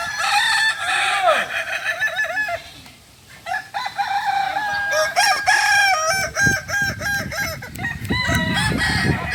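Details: Kokok Balenggek rooster at a shared practice gathering, a native chicken of Solok, West Sumatra. Crowing comes in long runs of clipped stepped notes, broken by a brief lull, then a second dense run with several birds overlapping.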